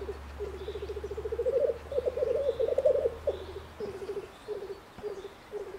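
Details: Displaying black grouse cock, Bavarian Forest, Germany, uttering a long rolling, pulsing coo that swells then breaks into short separate bubbling bursts, with a low hum in the background early on.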